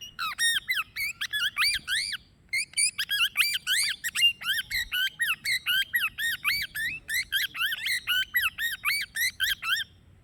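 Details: Plum-headed parakeet (Psittacula cyanocephala), calls.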